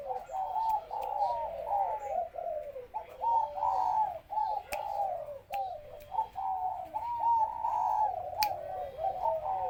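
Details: Spotted dove kept at home as a pet bird, giving continuous mellow warbling coos that rise and fall, with short breaks between phrases and a few sharp clicks.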